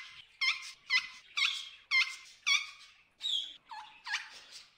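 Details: Hungry wild macaws in the Amazon rainforest give loud, harsh, harmonic squawks. The calls come about twice a second, some sweeping upward, and grow softer near the end.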